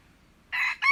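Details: Red junglefowl crow from 21 February 2025, heard partly: after a quiet stretch a raspy, harmonic-rich note starts abruptly, breaks off briefly, then a second bright note begins as the clip ends.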